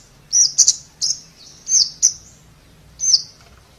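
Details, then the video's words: Sharp, very high ticking notes from a Scarlet-backed flowerpecker, some doubled, spaced irregularly over a few seconds against a quiet background. "เสียงนกชมพูสวน Scarlet-Backed Flowerpecker Sound"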